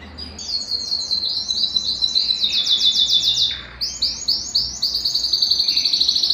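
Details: Belgian canary singing, played to get a cold canary singing: fast high trills of rapid repeated notes, switching between several trill types and ending in clipped, pulsing phrases.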